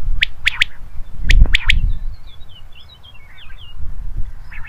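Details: Common quail calling naturally: crisp three-note phrases repeated twice in quick succession, over low rumbling background noise and faint twittering from other birds.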